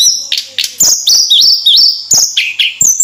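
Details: Javan sunbird, called tledekan, singing persistently: high, thin whistled notes, some held flat and some sliding up in steps, in quick phrases separated by sharp clicks.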